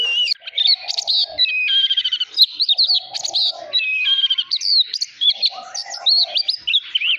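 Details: An oriental magpie-robin sings a rich, nonstop run of varied whistles, slurred rising and falling notes and quick trills, broken by lower buzzy, rattling phrases; used to stimulate and train young magpie-robins' song.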